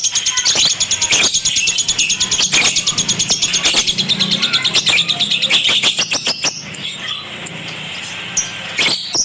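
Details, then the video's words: Lovebird singing a long run of rapid, high, buzzy chirps with intermittent clicks, fading into softer scattered squeaks in the last seconds. "KiCAU BURUNG LOVEBIRD"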